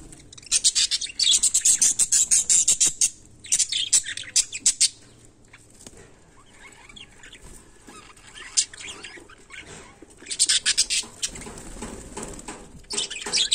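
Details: Budgerigar in its daily life, giving bursts of scratchy, high chattering and sharp clicks in quick clusters. The bursts are separated by short, quieter pauses.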